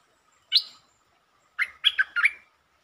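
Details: Streak-eared bulbul, a trained songbird known in Thailand as nok dok taeng, recorded 13 February 2023 singing long and doubled song styles: a lone bright note, then a quick burst of four or five warbled, bubbling phrases.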